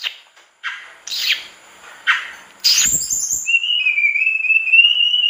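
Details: Captive mangrove blue flycatcher singing: a few sharp, high chirps, then a long, wavering whistle that climbs slightly; no other sounds are clear.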